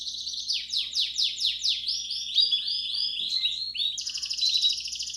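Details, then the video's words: Belgian canary song in the 'campainha' style used to warm up young birds: quick descending slurred notes repeated about three per second, then arched chirps and a high rolling trill at the end, over a faint low hum. "Som-do-canaril-para-esquentar-filhotes-de canar-belga."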